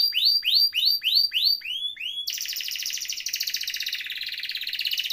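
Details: Canary (kenari) song for masteran: a run of repeated arched whistled notes about three per second, followed by a dense buzzy rolling trill.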